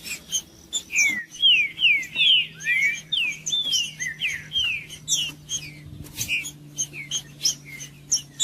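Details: Caged green-winged saltator singing to warm up a cold bird: a run of loud whistled downslurred notes, then scattered sharp chirps and ticks, over a steady low hum.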